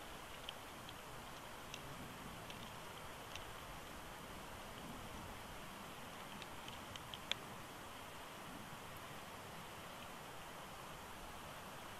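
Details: Steady broadband hiss like rain or wind, with a few faint scattered clicks and no clear animal voice.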